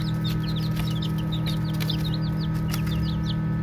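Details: Baby chicks at play, giving quick high peeps, some slightly rising or falling, packed closely over a few seconds, with a persistent low hum behind.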